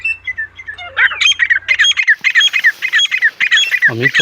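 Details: Wild female partridge giving its natural call: loud, harsh, squawky notes repeated rapidly in a steady rhythm, each note sliding down slightly, with a low hum during the first two seconds.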